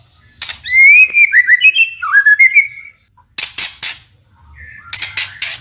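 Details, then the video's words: A White-rumped shama (murai batu) sings, showing off its varied repertoire in a natural tutor recording meant to make other shamas respond. A run of bright, descending whistled notes leads into harsh, scratchy bursts, then a short whistle and more rasping notes. "SUARA MURAI HATAN MASTERAN ALAMI UNTUK BURUNG - MURAI BATU"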